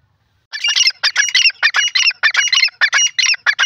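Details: Grey francolin in a jungle, calling a fast series of harsh, scratchy notes repeated about every third of a second after a brief silence.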